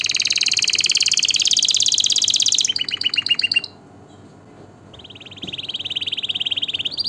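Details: Canary singing, meant to excite males and females for mating and tutor young: a loud, rapid high trill, choppy short notes, a brief quiet pause, then a low buzzy roll.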